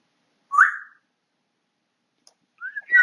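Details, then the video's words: Household African grey parrot whistling: one bright rising whistle, a pause, then a quick run of rising and steady tonal notes. "My African Grey Parrot Whistling Away"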